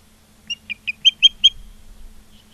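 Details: Osprey at a nest in Charlo, Montana, on 16 September 2023 in late afternoon: six short, high chirped whistles rising in strength over about a second, with a low hum beneath.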